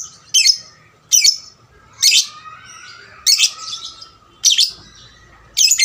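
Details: Lovebird lure recording for stimulating other lovebirds to sing, made of loud, harsh, scratchy high bursts repeated roughly once a second, with quiet gaps between them.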